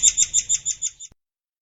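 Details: White-crowned forktail (murai air) used as a master recording for training songbirds: a quick run of seven high, sharp double-toned notes, about six a second, stopping after roughly one second.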